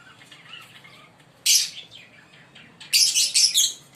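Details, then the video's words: A pair of green Fischer's lovebirds chirping: faint chatter at first, then a loud, harsh, shrill burst of chirps, a short pause, and a second run of rapid scratchy squeaks near the end. "Lovebird singing & Chirping Sound"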